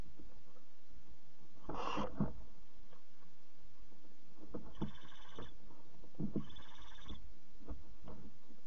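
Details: Barn owl nest at 3 a.m. on 26 July 2017, the mother arriving with a bird as prey for a chick: a rough, breathy hiss, then two longer hissing calls, amid scuffling and thumping in the nest box.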